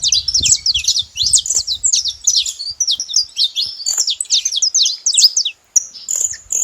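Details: Dense chirping from saffron finch, crowded sharp tweets and slurs for over five seconds, then a brief cut and a few thin, high calls.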